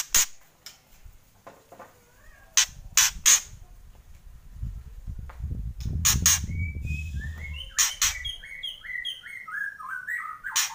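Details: White-rumped shama (murai batu) in kretekan singing style: scattered loud sharp crackling clicks through most of the recording, with a muffled low rumble in the middle, then a run of quick descending whistled notes near the end.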